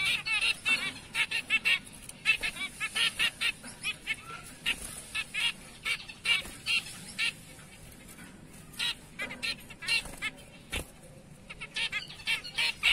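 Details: Zebra finches in black-breasted and light-back mutations give loud, nasal, trumpet-like beeps, repeated in rapid irregular series roughly several per second, with brief pauses between bursts and several birds overlapping.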